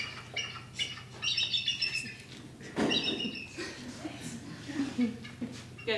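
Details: A real bald eagle gives thin, high, chattering whistles in quick bursts, less majestic than the red-tailed hawk scream movies use for it, with a person talking over and between the calls.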